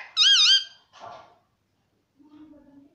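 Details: Pet parrot talking, imitating the word "Mummy" indoors: one loud, harmonic, wavering two-part call at the start, then a softer syllable and a faint low hum.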